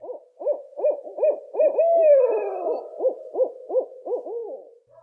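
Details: A male and female barred owl in a frenzied mating-season duet, squalling like monkeys: rapid overlapping hoots about three per second with a long drawn-out wail midway; the deeper, mellower voice is the male.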